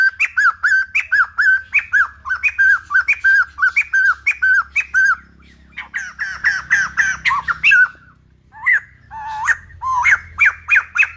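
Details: White-crested laughingthrush in wild old-forest style, a song meant to train young birds: a long chain of clear arched whistles with rising flicks, then a dense burst of overlapping harsh notes and a few scattered whistles.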